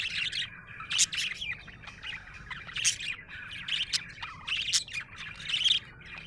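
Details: A happy budgie chatters steadily, its twittering notes rising and falling in uneven bursts about every second or two, with a couple of sharp squeaky peaks.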